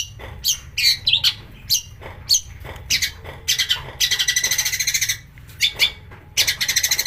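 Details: Harsh, varied long-tailed shrike song played to provoke singing: scattered sharp chirps and squawks, then a long rapid rattling trill and another closing burst of fast repeated notes.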